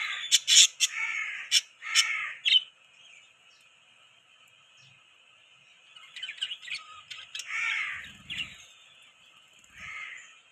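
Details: Pet budgerigars give loud, rapid chirps and harsh squawky notes at the start, then fall quieter into softer, scattered warbling twitters.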